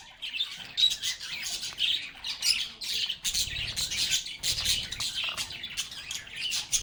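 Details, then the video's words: Group of lovebirds talking and singing: a rapid stream of shrill chirps and short raspy notes, densely layered, with pulses of louder chatter every second or so. "Lovebirds agapornis sounds | Relaxing Sounds of Singing, Playing, and Talking Parakeets"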